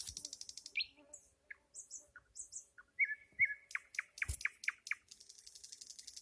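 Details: A nightingale sings, opening with a high rattling burst, then scattered soft whistles and a quickening series of sharp, loud clicking notes delivered in a rhythmic run.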